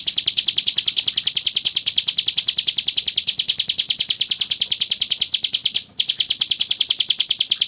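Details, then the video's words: Hill prinia delivering 'ngebren', a nonstop crystal-clear song: high, bright notes pulsing rapidly and steadily for the whole stretch, with only a momentary dip near six seconds before the same rhythm continues. "MASTERAN JITU CIBLEK NGEBREN SUARA KRISTAL"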